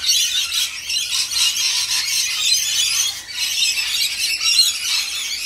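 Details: Rainbow lorikeets being fed, a dense chorus of harsh, high screeches and chatter from many birds overlapping without pause, with brief dips in loudness around the third second.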